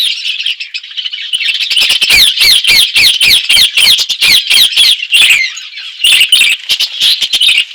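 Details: Budgerigars in an outdoor aviary chirping: dense, rapid chatter of bright warbling notes and squawks, a rhythmic burst of repeated chirps after the first two seconds, several birds calling together.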